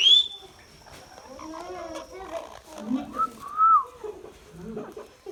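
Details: Indian ringneck parakeet talking: a sharp rising whistle opens, then a stretch of low, voice-like mimicked words, a few clear whistled notes near the end, and a faint steady high tone throughout.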